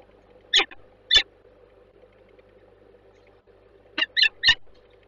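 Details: Female peregrine falcon at Bielany–Żerań, Warsaw, gives five harsh, rasping notes: two spaced half a second apart, then a quick run of three, over a low steady hum.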